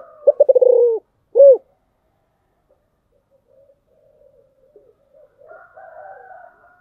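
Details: Spotted dove in the prized 'giọng thổ' singing style gives a quick burst of stuttered pulses followed by one deep rounded coo, then near silence with faint murmuring bird chatter in the background.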